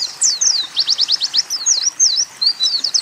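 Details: Oriental white-eye training song mixing canary and sunbird phrases: a quick rattling trill of rising strokes, then clear slurred whistles swooping down and up, all high-pitched over a faint background hiss.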